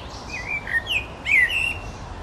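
A common blackbird sings a brief fragment of mellow, fluted whistles that slide and warble, ending in a fuller twisting phrase. Faint background hiss underneath.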